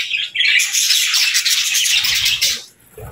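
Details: Budgies chirping together in a dense, overlapping chatter of high, scratchy warbles and squeaks, nearly continuous for about two and a half seconds before easing off, with a soft low thump at the end.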